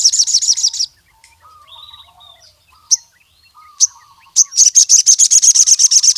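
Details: Javan cuckoo-shrike singing to challenge rival males; a high chattering burst opens, followed by soft lower warbles and sharp single chips, then a long fast series of loud, grating high notes.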